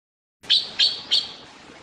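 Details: Taiwan blue magpie (Urocissa caerulea), an endemic Taiwan bird, while feeding chicks: three harsh, buzzy, high notes at roughly even spacing, each fading into a rasping tail, over a quiet background.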